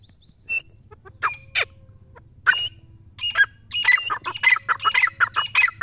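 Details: Partridge full of excitement, starting with a few scattered sharp notes, then breaking into a quickening string of coarse, squawky calls.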